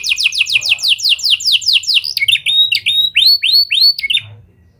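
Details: Canary song aimed at getting other canaries singing, with lovebird and prinia imitations: a quick series of falling sweeps giving way to chipped, upturned whistled notes, fading to quiet at the end.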